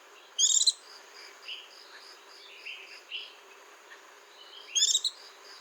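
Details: White-eye song phrases: two sharp, high, buzzy twitter bursts about four seconds apart, with faint soft notes between them and a steady rhythmic insect-like hum throughout.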